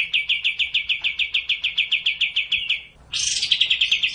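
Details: Sooty-headed bulbul delivering a rapid, even trill of sharp chirping notes, about three per second, breaking off briefly before a harsher, buzzier burst of fast notes resumes.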